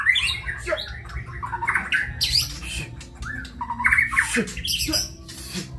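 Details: Harsh, scratchy bursts and short chattering phrases from a white-rumped shama singing kebyok style, loud and uneven throughout.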